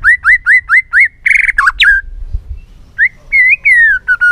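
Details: Excited white-rumped shama singing in many voices to stimulate rivals: five quick upslurred whistles, a harsh buzzy burst and a dropping note, a pause, then rich rising and falling whistled phrases.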